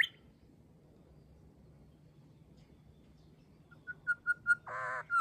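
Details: Grey shrike-thrush singing in an Australian garden on an overcast day: after a long quiet pause, a run of short, clear, level whistles, then a harsh buzzy burst and a final upward whistled note.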